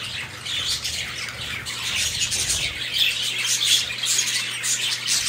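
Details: A white budgerigar playing on a hammock chatters in a steady stream of scratchy, high squawks and chirps.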